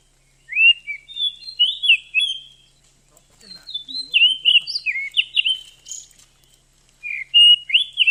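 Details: Female oriental magpie-robin calling to stimulate a male to sing and rouse his breeding drive; sweet slurred whistles rising and falling in phrases, a quieter stretch midway, then loud whistles return.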